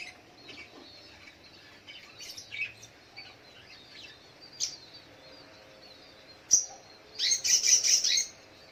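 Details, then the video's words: Spiderhunter singing in the morning: scattered high chirps early on, then a loud, rapid burst of sharp high notes near the end, with other faint calls behind. "Suara Burung Sogok ontong di pagi hari"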